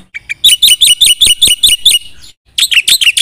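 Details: Black-winged myna singing in the energetic 'gacor full isian' style: a rapid train of loud, sharp, buzzy-whistled notes, about six per second for nearly two seconds, then a brief silence and another harsh, chattering burst.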